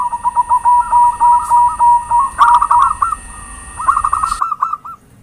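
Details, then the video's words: Actively calling zebra dove (perkutut) recorded for luring: a long string of quick rhythmic coo notes, then two bubbling trilled phrases, over a constant high-pitched electronic tone and faint hum. "Suara Pancingan perkutut gacor"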